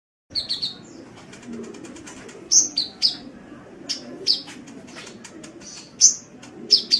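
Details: Sunbird chirps recorded as a masteran for songbird keepers: sharp, high chirps and short buzzy notes come in scattered bursts, some in quick clusters, over a soft low background hum.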